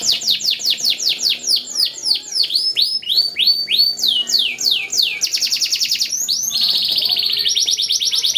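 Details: Yellow canary singing, a training song: a sequence of loud sweeping whistles, slowing and lowering, then shifting to quick buzzy trills for the last seconds.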